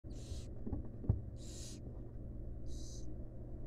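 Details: Wild barn owls at a monitored nest box as a female feeds her fledglings; three harsh, breathy hissing bursts, each about half a second, spaced over a second apart, above a steady low electrical hum.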